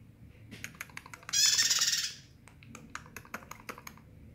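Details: Bar-winged prinia in lively song: a loud, dense burst of rapid high buzzy trilled notes lasting under a second, surrounded by scattered sharp clicks and ticks and a faint low hum.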